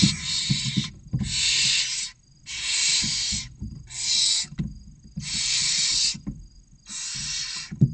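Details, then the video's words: Six barn owl nestlings, 16 to 29 days old, in a nest box in Cabañeros National Park, Spain, begging while awaiting a feed: six loud rasping hisses of roughly a second, separated by short pauses, over soft shuffling knocks. "Los seis pollitos esperando la cena - Lechuza común"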